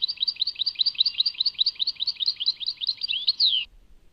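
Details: European goldfinch song called Tadmait, made of upswept chirps repeated about four times a second in an even run, finishing with a couple of longer downslurred whistles.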